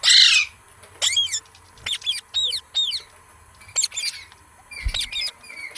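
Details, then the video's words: Green parrot giving a series of short, sharp, high squawks and chirps, each with bent, sweeping notes, in bursts about every half second to second, separated by quiet gaps. "Green Parrot Sounds Videos | Funny Parrot Sounds"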